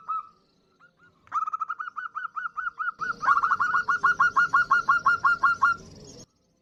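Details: A local female zebra dove calls to a male, used as a lure. A few soft coos lead into a rapid, even rattle of short notes that grows louder against rising hiss, then stops abruptly.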